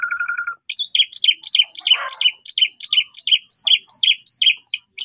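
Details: Asian pied starling (jalak suren) in lively song, played as a lure for untrained birds. A short buzzy opening, then a steady run of paired whistled notes repeated about three times a second.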